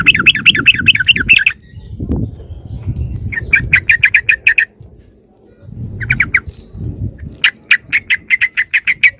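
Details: Yellow-vented bulbul lure call for drawing in wild bulbuls. Rolling, wavy chirps open, then clipped repeated notes in short bursts, a stretch of low rumbling, and a closing series of sharp evenly spaced chirps.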